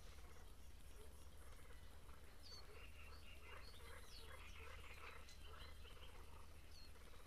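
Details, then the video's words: Breeding great reed warbler at Grachevka: a soft run of grating, croaky syllables repeated in quick bursts from about two seconds on, sharp high whistled notes above, and constant low-pitched hum beneath. "Камышовка Дроздовидная"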